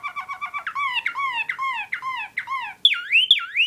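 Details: A Waterslager (Malinois) canary sings a fast stutter of clipped notes, then slurred whistles dropping every third of a second, ending in two loud swooping phrases. One of its song turns imitates the Northern Cardinal.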